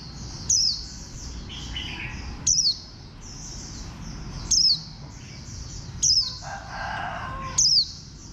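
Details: A green warbling white-eye with a bantam-like build sounds five sharp, high downslurred notes about every one and a half to two seconds over a dense chorus of quieter high chirps, with a short lower warble near the end.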